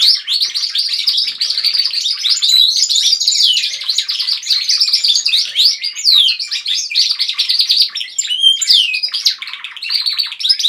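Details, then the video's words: Group of domestic canaries in a house chorusing together, an unbroken stream of high rolling trills, quick chirps and sliding whistled notes layered over one another for the whole stretch. "Canaries singing."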